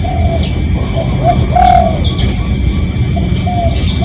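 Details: Spotted dove calling to lure other doves, recorded live: one clear mellow coo in the middle, with quieter short coos before and after, set against heavy low rumbling noise, a faint steady tone, and a few thin high chirps.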